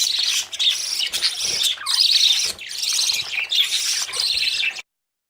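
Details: Budgerigar babies running after their parents for food, at the age to come out of the nest; harsh, raspy chattering in dense, overlapping bursts with brief pauses, cutting off abruptly just before the end.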